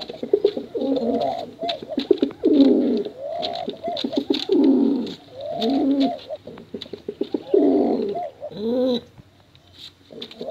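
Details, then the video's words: Male and female contest pigeons cooing at length, a recording used to attract young pigeons. Repeated deep, bubbling coo phrases come roughly every few seconds, layered from several birds, with a steady patter of clicks. "Suara Bekuran Burung Merpati Lomba Hutan Dara"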